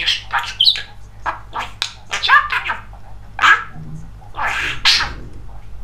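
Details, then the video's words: Talking male budgerigar, very chatty, mimicking human speech: quick scratchy, high-pitched syllable bursts strung together with short pauses, a faint low hum underneath. "Волнистый попугай Разговаривает четко и понятно"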